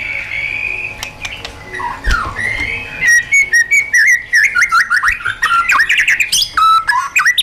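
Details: White-rumped shama in wild-style song for training caged birds: a steady whistled opening, then a fast run of bright rising whistles and trills, about one and a half phrases per second.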